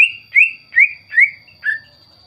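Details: Greater green leafbird used as a lure for other birds: five clear, rising whistled notes spaced roughly every 0.4 seconds, the last one lower and falling.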